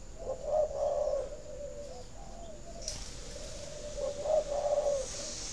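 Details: Cooing of a spotted dove, sound meant to stimulate captive breeding doves to lay, Ba Vì, Hanoi, Vietnam; two low, mellow coo phrases open and close the stretch, with a steady faint high hiss behind.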